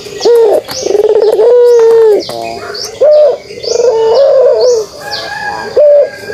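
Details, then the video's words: Kugeruk cooing of a pelung dove, a run of rich, resonant coo notes, some drawn out and some short, repeated at an uneven pace, with faint high chirping behind. "suara kugeruk burung puter pelung"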